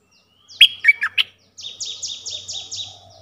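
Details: Four loud, jerky chirps from a streak-eared bulbul lead into a rhythmic string of six high notes, each falling in pitch. A low faint hum runs beneath.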